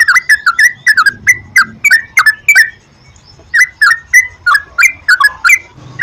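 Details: Trucukan, or Sooty-headed bulbul, lure song meant to make kept birds sing; quick clusters of liquid, slurred whistles, a pause of about a second, then another lively run.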